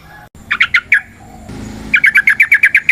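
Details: Wild yellow-vented bulbul delivering a rapid 'ropel panjang' lure song to get other bulbuls singing: a short burst of four chirpy notes, a pause with low rumble, then a quick even string of about ten bright repeated notes.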